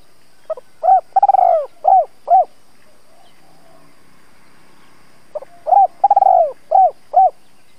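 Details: Decoy spotted dove giving thúc – gáy gọi cooing to lure and excite wild doves: low, hollow coos in two phrases, short notes leading into a rolling stuttered burst and two spaced final coos, separated by a quiet pause.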